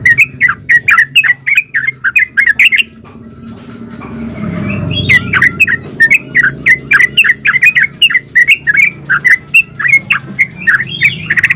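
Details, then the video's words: Yellow-vented bulbul in full, lively song, used as a lure to draw other bulbuls into answering: rapid bubbling, chattering phrases of short warbled notes in dense runs, broken by a brief pause near four seconds, then resuming just as fast. "SUARA BURUNG TRUCUKAN GACOR ULPIK ROPEL INI COCOK BUAT PANCINGAN TRUCUKAN"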